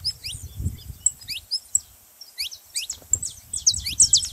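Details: Saffron finch chirping to stimulate a quiet canary: scattered high, falling notes, a short lull, then a denser cluster of sharp chirps at the end, over low rumbling background.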